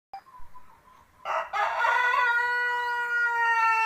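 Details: Seven-month-old village chicken rooster crowing: after a short quiet start, one long, loud, harmonic crow begins at about 1.2 seconds and holds a steady, slightly falling tone to the end.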